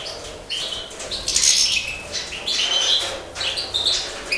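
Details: European goldfinch breeders of the major subspecies, kept in captivity during the 2012 season, give sharp high chirps and short tinkling phrases in bursts, mixed with soft wing flutters and cage rustling.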